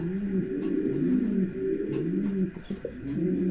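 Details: Pigeons cooing in a small room, deep rolling coos rising and falling in steady overlapping phrases, with a few faint clicks near the end.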